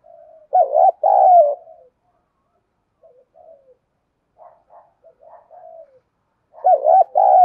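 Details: Calling female spotted dove used as a decoy to attract males. A rolling double coo opens, then soft, quiet cooing murmurs, and a second loud pair of deep, throaty notes closes the stretch.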